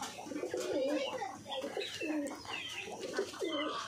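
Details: Pigeons in the morning as their keeper arrives, several gathering toward him without being called; low, wavering coos repeated steadily through the clip, with a man talking over them.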